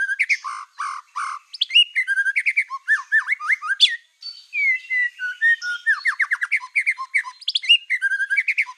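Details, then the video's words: Black-tailed white-rumped shama in strong song for provoking rival birds: rasping opening notes followed by dense runs of whistled slurs, sharp chips and trills, nearly continuous. "PANCINGAN MURAI BATU EKOR HITAM GACOR, SEKALI DENGAR AMPUH BIKIN MURAI APAPUN LANGSUNG EMOSI"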